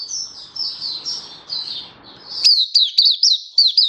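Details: High, soft warbling from an oriental white-eye in 'buka sing' song display, 24 February 2023, over low background noise, switching abruptly to loud, crisp chirps repeated about every quarter second.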